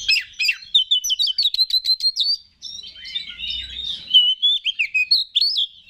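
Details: Lure song of an Oriental magpie-robin meant to provoke other kacer: a rapid series of crisp chirps and clicks, a brief pause, then a flowing line of slurred whistles and twitters.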